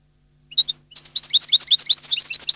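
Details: European goldfinch gives two opening chirps, then breaks into a rapid, rolling twitter of high, sweet notes delivered in steady quick pulses.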